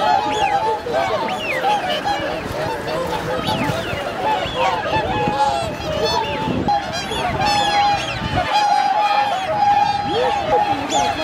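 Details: Swans wintering at Hyoko, an artificial lake and registered wetland in Agano City, Japan, in January 2022, when 2628 had arrived; steady massed honking with repeated short bugled notes and a sustained higher tone running through.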